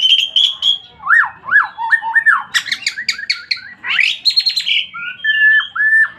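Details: White-rumped shama singing vigorously: a rich, fast-changing medley of clear whistles, up-and-down slurred notes, sharp chattering bursts and high trills, some motifs repeated two or three times, loud and close with little background.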